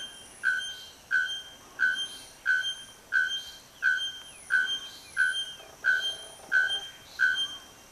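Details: Bare-throated bellbird about forty metres away among branches and leaves, giving loud, ringing metallic notes. Twelve of them repeat evenly about every two-thirds of a second over a faint steady hiss.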